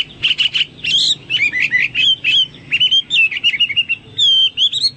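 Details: Hwamei singing energetically, a loud, varied song recorded as a tutor track for pet birds: rapid slurred whistles and warbled phrases, some rising and some falling, in quick bursts with brief gaps and faint low hum beneath.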